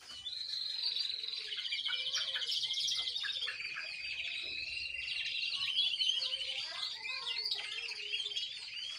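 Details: Young canary learning to sing: a dense, unbroken warbling stream of rapid trills, buzzy rattles and sliding whistled notes, high-pitched and busy throughout, with the bird singing loudly and continuously.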